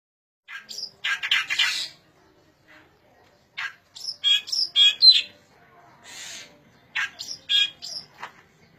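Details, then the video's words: Striated grassbird singing in bursts of sharp, varied chirps and scratchy trills, mostly high-pitched, with short silent gaps between phrases; a faint voice is heard in the background. "Kicau burung kerakbasi"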